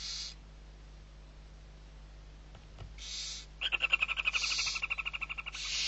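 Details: Owlets of the barn owl, six being fed, Riet Vell, Ebro Delta, Spain, 21-11-23: short hissing bursts, then a rapid, rattling chitter of sharp pulses roughly four per second, ending in another hiss; low hum underneath.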